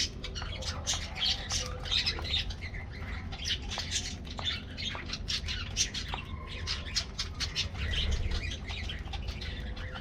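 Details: Budgies in an aviary colony at their morning diet treat: dense, nonstop squawky chatter from many birds, with rapid clicks and harsh notes overlapping throughout, in a roomy space.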